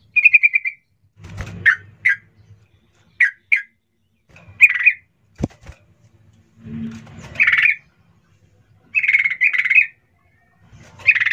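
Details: Sooty-headed bulbul call used as a lure to make other bulbuls answer quickly: loud bubbly "cuk cuk" notes, single, paired or in rolling runs, repeated every second or two, with faint low rustling between.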